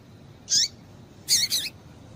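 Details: Female double-collared seedeater giving calls to stimulate males. A single high chirp with a falling tail is followed by a louder, longer double chirp. Nothing else is heard.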